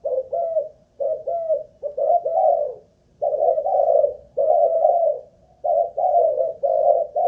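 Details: Malaysian-line spotted dove, a caged decoy, cooing for stamina: gentle low notes in twos and threes, then longer, fuller drawn coos, with quiet breaks between phrases.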